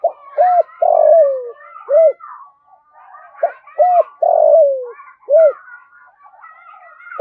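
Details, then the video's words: Spotted dove cooing to rouse other doves, giving the phrase twice: paired short coos, a long descending coo and a closing arched note, with busy chirping from other birds behind. "Tiếng chim cu gáy kích bổi"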